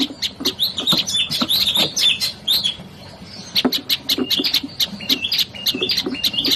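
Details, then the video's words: Olive-backed tailorbird singing bursts of rapid, high twittering chirps, pausing briefly midway before resuming with evenly spaced sharp notes and short whistles. "KICAUAN SI MUNGIL PRENJAK LUMUT"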